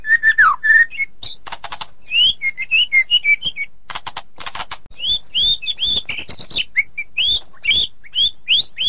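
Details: White-rumped shama singing in the ngeplong and ngeroll styles, with loud clear whistles, some sliding down and some rising, mixed with harsh buzzy bursts and quick varied chirps in tight succession.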